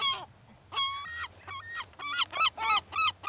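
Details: Gulls being fed crumbs on the beach at Brean Sands, Somerset, England, on a spring day in April 2013; a rapid run of harsh, ringing yelps, several birds calling in quick overlapping bursts over a low background rumble.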